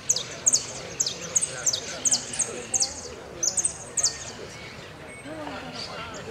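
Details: European goldfinch (Carduelis carduelis) singing in a song contest on 27 November 2022: bright, tinkling high phrases in quick bursts, about two to three per second, then quieter, over a faint background murmur.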